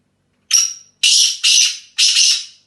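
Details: Dasi speeder teetar, the black francolin, calling in England: a short note with a thin whistled tone, then three broad, scratchy, rasping bursts in close succession, each fading at its end. No other sounds intrude.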